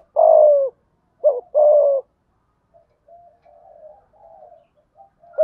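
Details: Spotted dove cooing in the 'thúc gù' style with an earthy voice: a long falling coo, then a quick note and another long coo, followed by soft faint murmuring.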